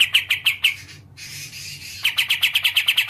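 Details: Black-and-white bulbul (kapas tembak), a songbird kept in Indonesia: a few sharp chirps, a breathy hissing pause, then a rapid series of bright, buzzy chirps.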